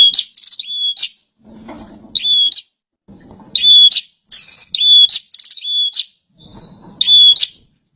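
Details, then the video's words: Actively singing captive bar-winged prinia gives about seven quick high phrases in eight seconds, each a brief sweep into a level whistled note with a buzzy end, separated by short pauses and faint low rumbling. "Pranjenak gacor"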